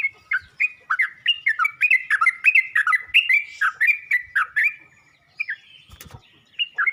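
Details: Yellow-vented bulbul calling other bulbuls: a steady stream of bubbly, warbled chirps for nearly five seconds, then a sharp click and a few scattered notes.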